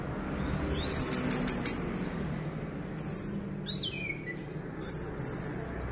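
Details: Caged orange-headed thrush singing in the trance-like 'teler' style from one perch while its cage is shaken: high, thin whistled phrases, a quick buzzy trill and sweeping notes, separated by short pauses, over a low steady hum.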